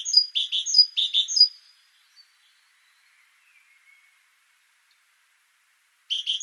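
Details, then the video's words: Song of the great tit (Parus major): a short series of repeated high, clipped two- and three-note phrases, followed by a long silence and the start of another series. "Great Tit Parus major)"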